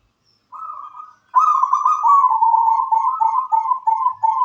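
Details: Sweet cooing song of a local wild-origin zebra dove: one short purring note, a brief gap, then a long continuous rolling trill that wavers slightly in pitch before breaking into pulsed notes.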